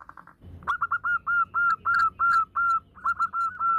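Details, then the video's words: Zebra dove, a female calling to the male, giving a steady stream of clear, loud, slightly downslurred whistled coos about three per second, with low background noise. "perkutut betinagacor memanggil pejantan the female turtledove calls the male"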